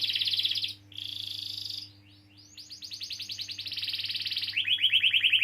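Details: Canary rolling song used to get young or silent canaries singing: a high trill, a short gap, a softer high note, a pause, then trills building in loudness and dropping to a lower roll.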